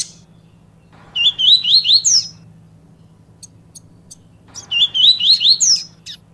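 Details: Double-collared seedeater singing in the Bahian 'baiano' style, used to stir a quiet bird into song: quick phrase of four or five rising, slurred whistles climbing to a sharp high end, repeated twice with a steady low hum.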